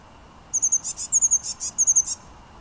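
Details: Singing blue tit, recorded in January 2013 at Münchenstein, Switzerland: three quick, high-pitched phrases, each a thin hissy note running into two or three short ringing notes, against a quiet background.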